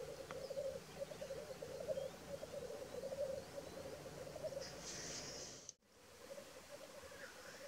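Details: Black grouse at a lek in North Wales on 12 May 2023: a continuous low, dovelike bubbling chorus runs throughout, and one brief harsh hissing sneeze bursts in near the end, just before a short break in the sound.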